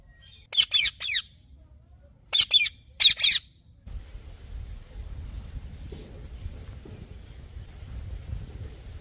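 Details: Shrill, grating calls from a yellow ringneck parrot come in three quick clusters of two or three squawks, followed by several seconds of low outdoor background noise.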